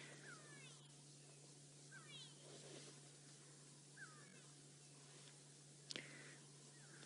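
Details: Go-away-birds give alarm calls, nasal, descending and drawn-out, every couple of seconds over a steady vehicle engine hum, heard in the afternoon on a game drive in the Sabi Sands, South Africa, October 2016.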